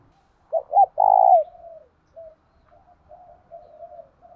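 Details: Spotted dove kept as a decoy bird to quickly lure wild doves, singing in the voice style called thổ đồng: two short, hollow coos, then one long drawn coo that falls at its end, followed by soft, low murmured notes in a quiet setting.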